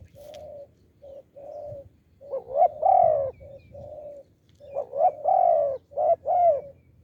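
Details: Deep-voiced wild spotted dove answering a decoy on a branch gives off-beat cooing: low steady hoots, then louder warbling phrases with rising notes and a drawn-out falling coo, repeated twice in quick succession.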